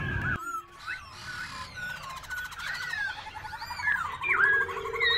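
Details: A captive black-throated laughingthrush at Tân Túc, Bình Chánh, Ho Chi Minh City, on 27 February 2024, singing while dancing and constantly changing voice: rich, varied whistled phrases, rising and falling notes and rapid rattling trills, amid other birds and clicks.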